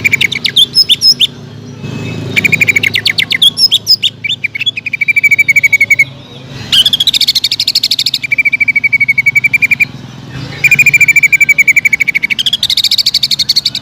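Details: A greater green leafbird pours out long, loud song to goad other leafbirds into singing, with extended rapid trills, buzzy high runs and twisting whistles in repeated phrases over about fourteen seconds.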